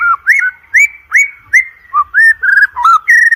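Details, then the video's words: White-rumped shama song used to train birds for contests: loud mellow whistles, some rising and some falling, delivered about every third of a second in a varied rhythmic string. "OCEHAN MURAI BATU PALING EDAN, COCOK UNTUK PANCINGAN MURAI BATU UNTUK LOMBA"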